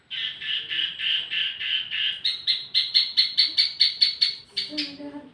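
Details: Wambi mini tutor song for tledekan birds: a steady series of harsh buzzy notes, then a slightly higher, faster run of even pulses, with faint background noise.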